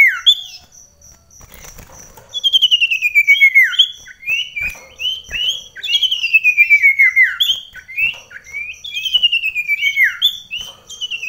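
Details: Common iora (sirtu) kept at home and competing with another bird close by in a rainy season: long descending whistled runs of quickly repeated notes, alternating with short upswept whistles, sustained and energetic throughout.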